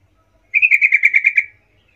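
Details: Sooty-headed bulbul 'gacor ngerol' lure sound for calling companions: a single rapid run of about ten clear, slightly buzzy whistled notes lasting roughly one second, set against silence.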